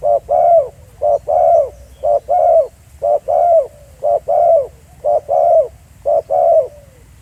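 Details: Spotted dove recorded in the field at Pha Sing as live decoy calling: a steady run of paired coos, a short note followed by a longer hoarse one, repeated about once per second, loud and close.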